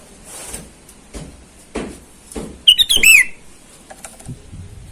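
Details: Sooty-headed bulbul calling rivals in the wild, used as a lure for wild birds: a single quick phrase of sharp whistled notes with a falling final sweep, amid soft knocks and thumps.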